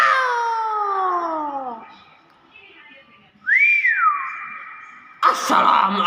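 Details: Common hill myna calling: a long harmonic whistle gliding downward, then a pause, a clear rising-and-falling whistle that levels into a held tone, ending with a harsh, broad burst.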